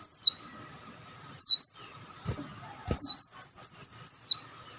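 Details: Lure call of olive-backed sunbird, locally wulung or muncang, played to attract birds: high sweeping whistles descending, then dipping and rising in short stuttered runs, with two sharp clicks between phrases and a faint background hum.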